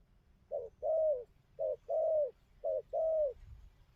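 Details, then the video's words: Wild-caught spotted dove cooing: three tidy pairs of a brief low note followed by a drawn-out, gently falling coo, spaced about a second apart against quiet surroundings. "Thổ tơ bài hay gù tốt"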